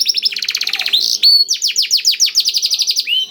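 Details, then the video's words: Canary song with blackthroat phrases, meant to spur canaries to sing: rapid buzzy trill, a single long whistle, then quick repeated trilled syllables in a continuous stream. "KENARI ISIAN BLACKTHROAT #175 || VOICE OF CANARY"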